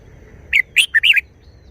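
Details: Red-whiskered bulbul delivering a quick wild-style phrase of four crisp, liquid notes, the last a longer rolling warble, above soft low background hum.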